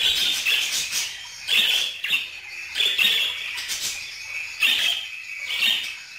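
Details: Budgerigar chatter of rapid buzzy, clicking phrases with squeaky whistles mixed in, running almost without pause and swelling every second or so.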